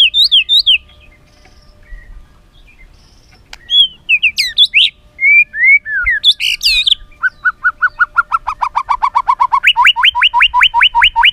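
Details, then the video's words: White-rumped shama song used to train other shamas: varied whistled slurs and chatters, then a long steady series of repeated notes, first low and falling, then switching to fast upswept whistles. "isan muray bagus,cocok buat pancingan gacoran muray batu"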